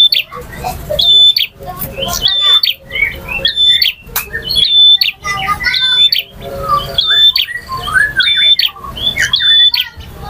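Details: Male bar-winged prinia in full varied song, styles called ngotot, ngalun and kristal: high whistled notes with buzzy trills and scratchy squawks, in phrases about a second apart.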